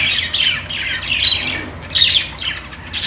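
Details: Budgies give short, harsh chirp bursts with brief gaps, the high scratchy notes and quick whistles coming in clusters, over a low hum.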